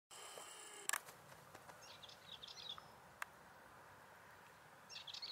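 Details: Balearic warbler (Curruca balearica), call.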